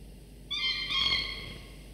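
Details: A falcon chick about 24–25 days old, one of two being fed by the father in the nest at morning; one abrupt, buzzy whining cry lasting about a second, with harsh overtones.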